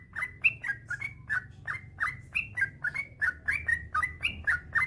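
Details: Yellow-vented bulbul (trucukan) giving its long rolling 'ropel panjang' song, used as a master recording to get other bulbuls singing: rapid chattering string of short bubbly notes, about four per second, some rising, others dropping, with a low hum underneath.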